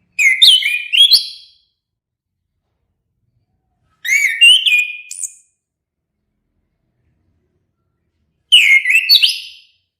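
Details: Orange-headed thrush singing: three bursts of clear, rich whistled phrases, each about a second long with quick rising and falling notes and sharp high flourishes, spaced by roughly three-second pauses in a quiet background.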